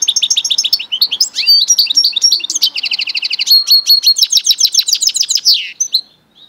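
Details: Goldfinch × canary mule singing a rapid, continuous high-pitched song of twittering notes, buzzy trills and quick repeated chips, with a fast rattling run of rising notes near the end before it stops.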